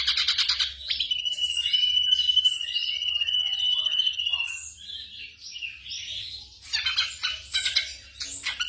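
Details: Song of a black drongo, used for night-time training of caged birds: a sharp chattering burst, then a long steady whistled trill lasting about three seconds, fading into scattered notes and closing with rapid chatter.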